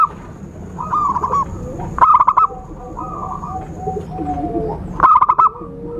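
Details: Zebra dove trapping lure call: a soft stuttered coo, then two loud staccato bursts three seconds apart, with gentle murmuring notes in between and faint background hiss.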